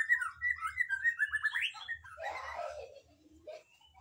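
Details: Magpie-robin song of fluid, varied whistled phrases around mid pitch, followed by a burst of scratchy, rough notes and a short low whistle near the end.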